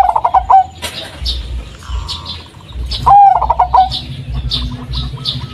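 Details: A local "blorok madu" zebra dove (perkutut) used as a decoy sound gives two bursts of soft, rolling, stuttered coos about three seconds apart, with high chirps from small birds and a low hum.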